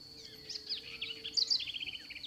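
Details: House Wren at a small rural Atlantic Forest site in Brazil sings a quick, bubbly jumble of high notes ending in a fast run of trills, over a steady insect-like hum.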